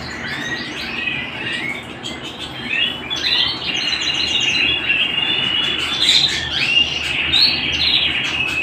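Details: A canary at home opens with rapid choppy chirps, then runs into a dense rolling trill with bright whistled peaks, over a faint low hum.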